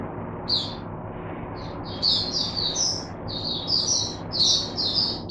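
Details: Captive oriental white-eye used to teach other white-eyes, 22 January 2022; after a quiet opening, bright high chirps come in short bursts, then in a quick series of separate twittered notes over faint background hiss.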